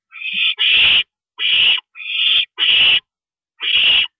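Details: Owl at the nest at night with a parent visiting, 2:40 AM, April 22 2012: paired and single raspy hisses, each about half a second, in an uneven sequence.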